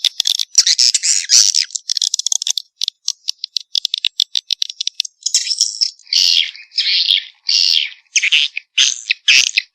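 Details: Swiftlet lure sound for attracting swiftlets, made of dry, buzzy rattling bursts, rapid at first and then longer separated buzzes toward the end, with sharp silent breaks between them.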